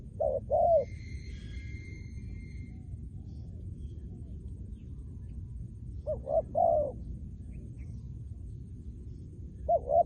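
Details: Spotted dove kept as a trained decoy bird for ground luring, giving three paired cooing phrases spaced several seconds apart, each ending on a drawn-out rolling note; a faint high whistling bird calls briefly early on over constant low hum.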